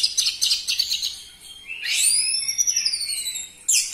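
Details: Orange-headed thrush song used as a lure for captive birds: rapid chattering high notes, then a long rising and gently falling whistle, closing with a sharp burst.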